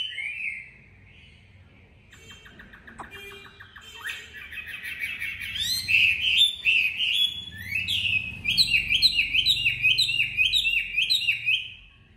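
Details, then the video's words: Caged Chinese hwamei, a tamed bird, in Hanoi, Vietnam, singing in competitive style: fast, varied whistled phrases, rising and falling slurs, rapid trills and repeated sweeping notes that grow louder and denser toward the end. "Mi thuần MCB99x8A đẹp hót đấu giọng hay tốc độ mỏ tốt"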